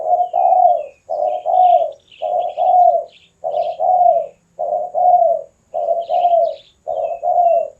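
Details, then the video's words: Spotted dove singing steadily, for luring and song training: paired mellow coos in quick succession, roughly one pair per second, throughout; soft high twitters of other birds above. "SUARA BURUNG DERKUKU / TEKUKUR GACOR UNTUK PIKAT DAN MASTERAN"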